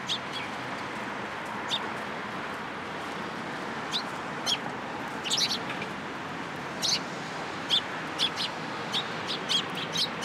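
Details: Sparrows assembling in a cherry tree at a Tenmangu shrine in spring 2023 give thin, isolated chirps every second or two over steady background noise.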